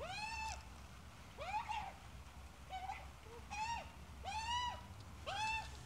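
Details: Australian magpie, an adult with a chick: harmonic, arching nasal calls roughly once a second, varying in loudness, some brief and broken, over light low background noise.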